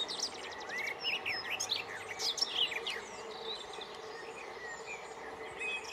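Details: Garden warbler singing at Yarner Wood on 25 May 2020: a rapid, rich, continuous warble of varied tumbling notes lasting about three seconds, followed by quieter woodland background with distant birds.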